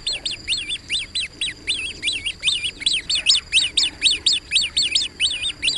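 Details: Great crested grebe on the water calling: sharp, high whistled notes with a rising-falling, hooked shape, repeated roughly twice a second in a restless, uneven run.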